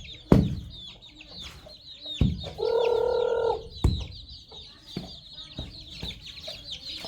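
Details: Baby chicks and young chickens on a farm, pecking at a fresh meal of termites: a sustained nasal call lasting about a second stands out over sharp knocks and a steady backdrop of high chirping.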